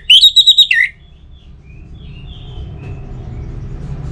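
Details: A brief, loud orange-headed thrush phrase of quick, evenly spaced whistles ending in a falling slur, followed by soft distant chirps over a low steady hum; used to get other birds singing.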